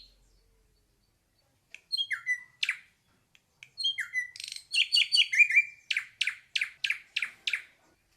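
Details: Ashy drongo singing: scattered slurred whistles dropping in pitch, building into a dense jumble of chattering notes, then a steady series of crisp, evenly spaced sharp notes; no other sounds.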